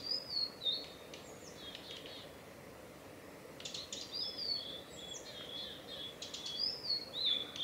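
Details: Call notes of a male blue-and-white flycatcher, Tanzawa Mizusawa forest road, Japan, 8 June 2020: thin, high, down-slurred whistles paired with dry ticks, repeated in several clusters about every two seconds against quiet forest hiss.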